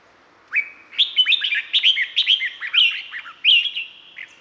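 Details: Red-whiskered bulbul from Thailand, a songbird kept in cages, delivers a continuous run of bright, slurred whistled notes, rising and falling and rapidly repeated, with a ringing echo trailing behind each note.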